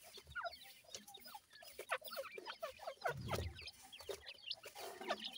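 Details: Grey francolin chicks, feeding and playing, give a dense chorus of thin, high peeping chirps, short downslurred notes overlapping almost continuously, with a low thump near the middle.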